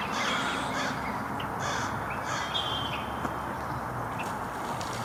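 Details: American crow at Jericho Park, Vancouver, early March 2021, possibly interacting with a mallard (observer unsure if courting): a quick run of harsh, raspy caws, several per second, over hiss and thin whistles from other birds.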